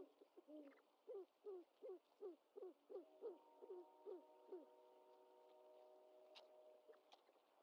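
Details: Great horned owlet at its nest, recorded by a live camera on 25 March 2021 as the mother brings a bird to feed it. A series of about a dozen short, low, slurred notes are evenly spaced, with a steady faint hum running beneath.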